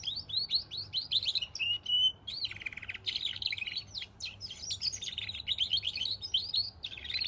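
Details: Goldfinch and canary hybrid singing a fast, continuous song of twittering notes, buzzy trills and short whistled phrases, high-pitched and varied, with a steady low hum underneath.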